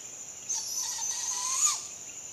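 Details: Barred owl fledgling giving its begging call at sunrise, a long rising then falling wheezy hiss held for over a second, with a steady high insect-like drone throughout.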